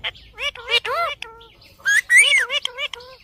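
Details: Green ring-neck parrot chattering in speech-like syllables, mixing rising and falling whistled inflections with a brief steady tone and a louder burst of words near the end.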